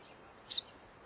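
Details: A tree swallow (Tachycineta bicolor) singing in Creston Valley, British Columbia, gives one brief, high, liquid chirp with a quick double lilt, over a faint steady outdoor hiss.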